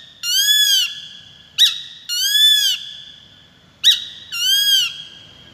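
Peregrine falcon giving harsh, drawn-out wailing calls that arch up then down, broken by sharp clipped notes, roughly one sound a second. Background is quiet.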